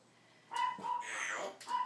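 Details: Fourteen-year-old African grey parrot at home gives a steady mid-pitched whistle, a harsh noisy squawk, then the whistle again, all within two seconds, with a person chatting before and after.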